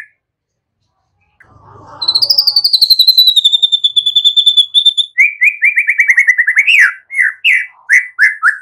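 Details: White-rumped shama training song for young birds: a soft rustle, then a long high sustained pulsing trill lasting about three seconds, followed by a string of lower rapid chattering notes and upswept whistles.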